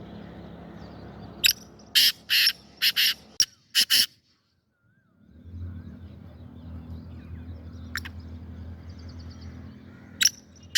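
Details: Black francolin, recorded 25 April 2024, giving a harsh, scratchy run of about seven rapid bursts, a short silence, then low rumbling background with a couple of further isolated rasping notes near the end.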